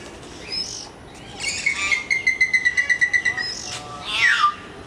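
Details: Common hill myna, a mountain bird of India, holding a long, level whistle broken into a rapid pulsed series of about twelve beats, ending with a loud note sweeping sharply downward.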